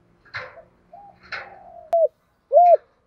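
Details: Decoy spotted dove calling to attract wild doves. Scattered higher rustling chirps come first, then a soft coo, a sliding coo, and one clear arched coo at the end.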